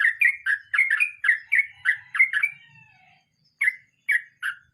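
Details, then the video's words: Sooty-headed bulbul delivering its rolling 'mbonang' song: loud, bright slurred notes tumbling in a fast run for about three seconds, a short trailing warble, a brief silence, then three separate emphatic notes. "Trucukan nge roll mbonang istimewa"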